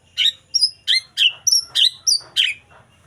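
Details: Young white-rumped shama taken from the forest: eight bright, high chirped notes repeated at an even pace of about three per second, alternating slightly different shapes.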